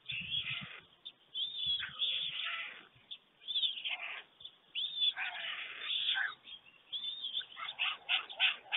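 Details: White storks, two adults and one chick, on a German nest at 5:38 a.m., 24 June 2020, during a greeting and feeding; rough, mewing rasps follow one another quickly, with brief gaps, growing choppier near the end.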